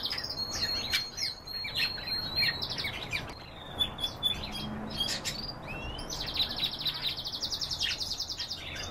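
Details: Several canaries singing together: rapid trills and rolled buzzy notes high in pitch, interleaved chirps and whistles, with a long fast pulsed trill near the end.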